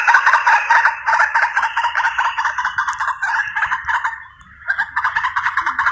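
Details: White-breasted waterhen calling, a recording used as a hunting lure; harsh, croaking notes repeated rapidly at about two and a half per second in a dense chorus, briefly dipping before resuming.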